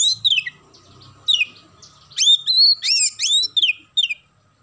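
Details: Oriental magpie-robin with a sparrow-mimicry fill. Scattered single chirps lead into a dense run of emphatic hooked whistles, each rising then dropping, followed by a few trailing notes. A soft low rumble sounds early on.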